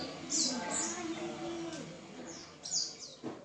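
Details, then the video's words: White-eye (pleci) song used as a lure to make caged white-eyes start singing: short, very high, thin chirps in quick pairs near the start and again near the end, over a faint low murmur of voices. "PANCINGAN PLECI ngalas full power dengan cepat membuat pleci buka paruh"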